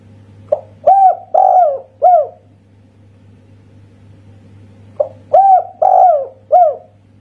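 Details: Two coo phrases from a local Indonesian spotted dove with the special 'kuk satu' voice, each a short opening note plus three mellow descending coos, about four and a half seconds apart, over a continuous low hum.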